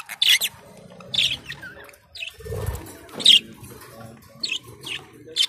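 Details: Colourful budgerigars, described as blue, green, red and yellow, give short bright chirps every second or so, sharp and high, with a low rumbling murmur in the background.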